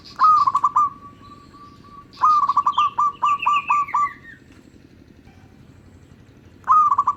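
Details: Local zebra dove song, used to lure other zebra doves: staccato bubbling coo phrases, each trailing into a steady drawn-out note, repeated three times. High, thin descending calls from another bird sound during the middle phrase.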